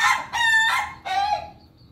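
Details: Pelung chicken crowing during morning feeding: a loud, rich, harmonic crow broken into three choppy bursts within two seconds, the last one drawn out and fading away.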